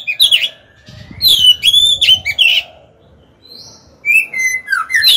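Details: Decoy Oriental magpie-robin singing to stimulate males and lure wild birds to fight, giving varied whistles, long drawn-out level notes and slurred downward tones, with a short pause midway.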